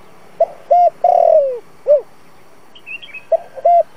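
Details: Spotted dove decoy coo, 'giọng thổ' style, played to lure wild doves into traps: a short note, a flat held note, a long falling coo and a brief arched ending, with faint chirping from another bird before the next phrase.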